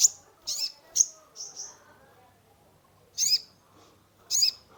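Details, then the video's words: Caged sunbird, kolibri ninja, used as a lure for a stressed bird, giving a quick run of high chirps and softer whistles, a pause, then two more loud sharp notes. "Terapi pancingan konin gacor full isian mengatasi burung stress !!"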